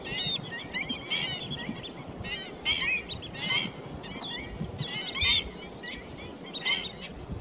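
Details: Pheasant-tailed jacana, 28 July 2021, giving nasal, mewing calls in short bursts, one about every second or two, over a low rumble of wind or distant noise.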